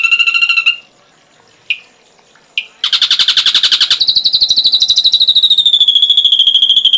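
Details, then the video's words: Ashy drongo, complete tutor recording for training songbirds: a quick trill, two sharp isolated notes, a harsh buzzy burst, then a long, fast high trill dropping slightly in pitch. "Masteran srigunting abu abu isian lengkap"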